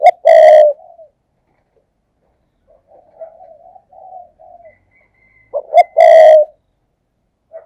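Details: Loud spotted dove decoy in 'thúc gù' style for provoking wild doves: a strong, rich coo, then a quiet run of murmured coos, then another loud coo phrase.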